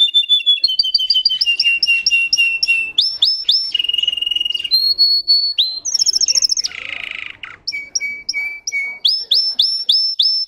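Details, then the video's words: Russian canary bred for singing delivers a rapid, varied song: trilled phrases of repeated high whistled notes, shifting pitch every second or so, including a buzzy lower rattle midway, with no other sounds. "The singing of a canary. Melodies Canary Bird song"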